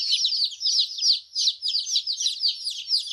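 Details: Several colourful chicks give bright, piercing peeps, short falling whistles in quick, uneven bursts with brief dips between clusters, and the chorus keeps going throughout.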